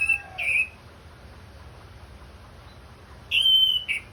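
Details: Orange-headed thrush, anis merah from Indonesia, in a therapy recording meant to get the bird singing: two separate bursts of clear, high whistled phrases, slightly warbling and level, with a quiet gap of nearly three seconds between them.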